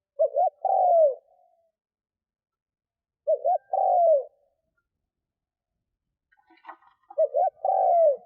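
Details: Spotted dove decoy coos to draw wild doves. Three phrases are spaced a few seconds apart, each a doubled quick note leading into a long, falling coo. A faint click comes before the last phrase.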